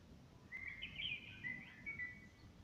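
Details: Blackbird song by a window, smartphone recording: after a brief pause, a mellow whistled phrase with quick twittery flourishes and gliding notes, over a low humming drone.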